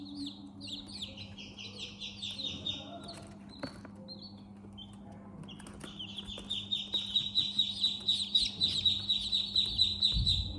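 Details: Baby chickens in a chick house, peeping in scattered high notes at first, a quieter gap with clicks and rustling, then a brisk steady series of sharp high peeps over a constant low hum.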